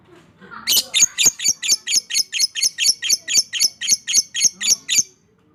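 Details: Fighter lovebird delivering long ngekek chatter, meant to prompt silent lovebirds to sing: a steady run of harsh, shrill, buzzy notes, about four each second, sustained without break for over four seconds.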